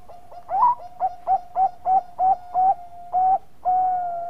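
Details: Zebra dove of the Bangkok type in full song, played as a prompting lure: a rising first note followed by a rhythmic chain of nine soft, bubbling coos, the gaps widening toward the end, with a constant faint tone beneath.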